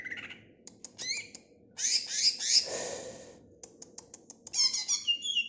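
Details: Greater green leafbird song with rapid clicking notes, a dense buzzy rasping burst, then squeaky upslurred whistles and chatter.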